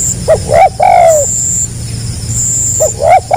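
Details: Spotted dove (tekukur) delivering stuttering gagap rapat selang nguku cooing. A brief hooked note, a rising note, then a long soft descending coo, with the pattern starting again near the end. High insect buzzing continues throughout.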